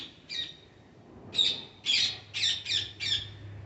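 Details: Parrots producing separate harsh, raspy squawks, first spaced out, then five in quicker succession, with a faint low hum in the background.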